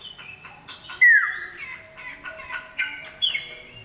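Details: Loud male common iora calling a female. Scattered chirps lead to a strong downslurred whistle, then several separate whistled notes and a final falling slur.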